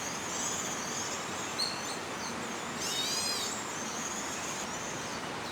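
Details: A young crested goshawk perched high at dawn in Da'an Forest Park, Taipei, June 2022, begs for food with thin, high squealing calls, faint then a louder wavering burst mid-clip, over steady background hiss.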